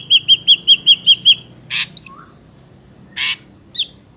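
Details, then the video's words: Ashy drongo song used to lure birds into traps: seven rapid, evenly spaced ringing whistles, then two harsh scratchy bursts separated by short slurred whistled notes. "PANCINGAN SUARA BURUNG SRIGUNTING"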